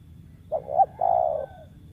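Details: A single phrase from a wild spotted dove prized as a lure bird: a brief two-part rising note, then a long, even, mellow coo lasting about half a second, over quiet background.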